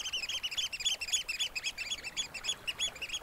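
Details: Oystercatchers calling late on a spring evening at Snettisham Beach, Norfolk: loud, shrill squeaking pipes repeated rapidly, several birds overlapping in a continuous excited series, with almost-still water gently lapping the sandy shore beneath.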